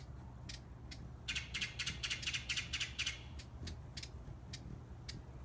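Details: Broad-billed hummingbird recorded at Monterrey, Nuevo León, Mexico, on 20 March 2016: dry, rapid ticking chatter in a burst of about a dozen clicks, then scattered single ticks, against steady broadband background noise.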